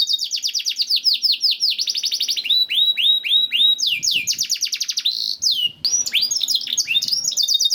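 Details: Continuous canary song to encourage canaries to sing: fast sequences of falling whistled notes, repeated in tours, with rolling trills and high twittering, a short gap near the end.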